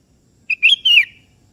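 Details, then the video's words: Sooty-headed bulbul calling a rival, which answers. A single clean whistled phrase: a short steady note, then a bright rising note, then a drawn-out liquid slur that drops at the end. Silence follows. "Suara Merdu Burung Kutilang KEBO Gacor Memanggil Lawan Ikutan Bunyi"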